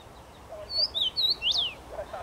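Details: Common rosefinch singing from a tree on 23 May 2021: a short run of clear, slurred whistled notes, the last one rising then falling, over quiet low background noise.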